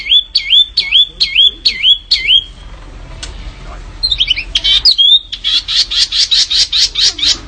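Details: Canary masteran song for contest birds: repeated swooping whistled notes about three per second, a quiet gap, a few sharp chirps, then a fast buzzy rattle of even pulses.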